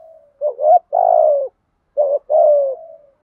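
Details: Decoy spotted dove giving two 'gù thúc' urging coos close together in 'giọng thổ' style, each a quick looping note leading into a drawn-out, burry, gently falling coo.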